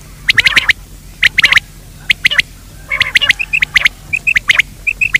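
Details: Daytime quail lure call made of quick clustered clicking notes in groups of three to five, followed near the end by short clear whistled pips, with faint low hum underneath.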